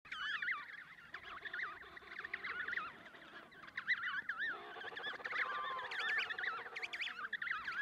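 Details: Emperor penguin (Aptenodytes forsteri) chick begging while being fed by a parent at the Snow Hill Island colony, Antarctica, on 25 October 2018: high, warbling whistles that rise and fall, repeated and overlapping, with other birds chattering in the background.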